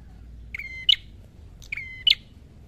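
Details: Prinia, locally called red-headed prenjak, singing aggressively. Two matching phrases each start with a short click, run on as an even whistle and end in a sharp grating burst, over soft low rumble.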